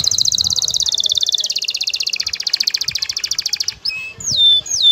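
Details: Excited male canary singing to court a female and bring her into mating posture. A long, rapid, high trill of evenly repeated notes steps down in pitch twice, then gives way to a few clear, sliding whistled notes.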